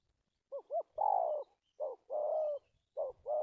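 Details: Stuttering-style ('cà lăm') coo of a decoy spotted dove used in trapping, 1/3/19: paired short hiccuping notes leading into long, low, even coos, the pattern repeated three times in close succession.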